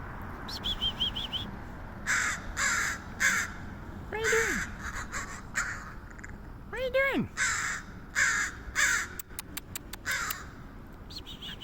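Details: San Francisco crow giving strange noises: a long series of harsh, rasping caws and a few short whistled notes and rapid clicks, interrupted by a person talking over them twice.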